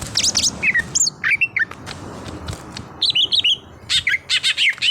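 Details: Greater green leafbird (cucak hijau), an untrained bird being brought into song: loud bursts of high twitters and downslurred whistles separated by short pauses, over a soft rumbling background.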